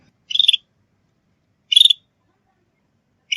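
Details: Lure call of a sooty-headed bulbul used for trapping and training: high, rapid chattering bursts of stuttered notes about one and a half seconds apart, with silence between.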